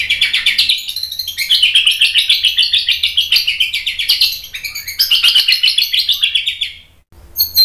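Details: White-rumped shama in agitated song, used to provoke other males: a fast continuous high chattering stream of rapid repeated notes, about four per second, broken by a brief pause near the end.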